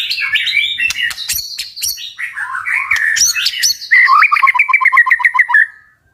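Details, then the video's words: Powerful 'tach' song from a white-rumped shama meant to provoke fighting birds: jumbled whistles and sharp clicks, then a rapid even rattle of repeated notes lasting about two seconds before fading out. "Chòe lửa tạch cực mạnh để kích chim đấu"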